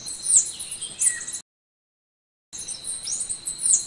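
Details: Golden-winged sparrow song: very high, thin, quick notes and short downslurs in two bursts, broken by a second of dead silence, over a steady high insect-like hum.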